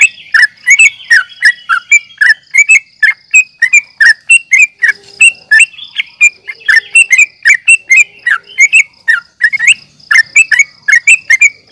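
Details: Fighting calls of sooty-headed bulbul (trucukan), meant to rouse caged birds: a continuous chatter of short bright chirps and slurred notes from several birds, with a constant thin high whine behind.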